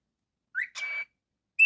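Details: Pet cockatiel giving a short rising whistle, then a buzzy note with a steady whistled tone through it, and a brief clear whistle after a pause, in a quiet room.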